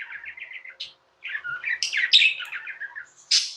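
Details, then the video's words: Tame pet budgerigars chattering: a run of quick, even chirps, a brief pause, then a busy scratchy warble with a sharp high chirp at the end. "Budgies | Talking | Singing | Chirping sounds"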